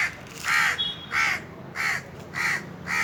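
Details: Indian crows cawing from a treetop on a very hot summer day: harsh, nasal caws around five in three seconds, evenly spaced with short gaps between.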